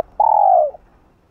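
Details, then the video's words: Single long spotted dove coo from a hạp bổi style urging sequence meant to provoke other doves: one steady, mellow note lasting about half a second, sliding gently downward at the end, with near silence around it. "Gáy Giọng Hạp Bổi ĐỦ BÀI gáy thúc liên tục (GỌI +THÚC + GÙ)kích bổi căng lửa.Cu Đất Gáy.cu cườm"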